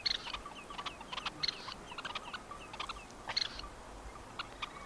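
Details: Red-necked Phalarope, Tainan City, Taiwan, 20 September 2015. Rapid, clipped chirps and ticks come in quick irregular bursts with some sharper accented notes, suggesting more than one bird, against steady low ambient noise.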